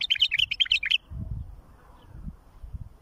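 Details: A bulbul's tutoring song for young birds: a fast burst of five or six sweet, bouncing whistled notes within one second, followed by soft low thumps and rumble.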